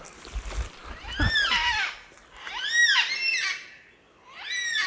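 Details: A gang-gang cockatoo at Lake Nillahcootie, in the late afternoon to evening, gives three drawn-out, creaky, arching calls about every one and a half seconds, with a low thump and handling noise early on.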